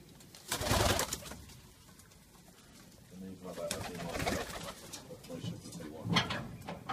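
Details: Decorative Jacobin domestic pigeons in a small room: low, soft coos rolling in short throaty phrases, with bursts of wing flapping and faint voices.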